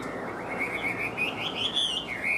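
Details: Chinese hwamei, a caged songbird, delivering a continuous clear whistled phrase that climbs gradually in pitch, wavers at the top, then dips before rising again at the end.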